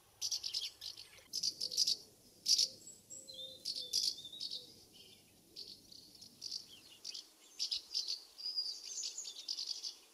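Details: House martins in flight around the nest site during a UK summer, giving a busy stream of high chirping and rattling calls in bursts, with brief quieter gaps and faint background hum in the first seconds.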